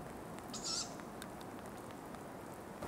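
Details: Tawny owl recorded in Ostankino park giving one brief, breathy, high-pitched hissing call, followed by quiet with a constant low hum of distant traffic-like noise.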